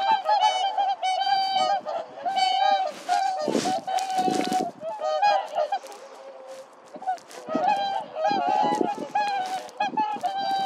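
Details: Whooper swans struggling with each other, giving a continuous clamour of trumpeting honks, some long and level, others short and broken, with splashing and scuffling noises breaking in around the middle.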